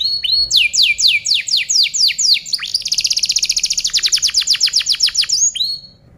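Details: Canary song used as a tutoring recording for other birds: fast trills of repeated falling notes, about four per second, shifting to a rapid buzzy rattle and ending in a rising whistle.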